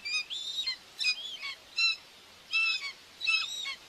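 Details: At a Hungarian nest in Tiszalök on June 2, 2024, a female common buzzard feeds two young. Five short, high, reedy whistles come in separate bursts. Some bend downward at the tail, and there are pauses between them.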